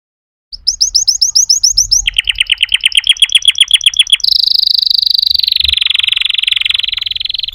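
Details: Canary song in changing tours: rapid high upslurred notes, then a lower run of quick descending chips, then a long fast buzzy trill held steady near one pitch until the end.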